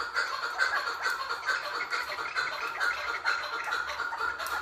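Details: Female chukar partridge calling: a rapid series of harsh, clucking notes, roughly two per second, repeated steadily in uneven pulses throughout, with a steady hiss of background noise.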